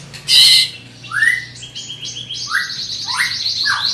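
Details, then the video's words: Loud song of a large greater green leafbird: one harsh burst, then sliding whistles rising and falling, mixed with sustained high trilled tones. "Burung Cucak Ijo Body Besar Suara Tembus Joooos"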